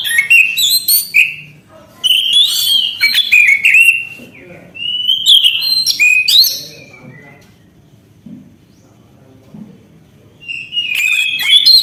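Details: Orange-headed thrush singing varied whistled and chattering phrases for several seconds, then a quiet stretch with only faint low sounds, before the song resumes at the end.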